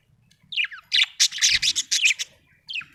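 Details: Cheerful budgie giving a quick string of harsh, buzzy chirps and squawks, a descending sweep at the start, then rapid clustered notes and one final chirp after a brief pause.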